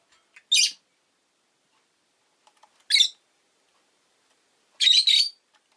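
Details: Rosy-faced lovebird kept as a pet, uttering three loud, harsh, rasping chirps spaced roughly two seconds apart, the last one longer and double, with faint ticks in between.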